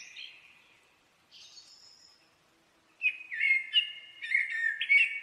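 A common blackbird sings mellow, fluty phrases that waver around a mid pitch and end in thin, high twitters, soft at first and then louder and fuller.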